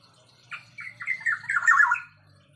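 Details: Cucak gadung (blue-winged leafbird) delivering a quick run of clipped, varied whistled notes that grow louder toward a rich warbled finish, with a faint low hum beneath.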